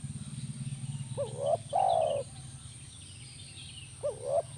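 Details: Spotted dove call, played as therapy to make a caged dove answer: two short rising-and-falling coo phrases, then a brief coo near the end, over a steady low humming background.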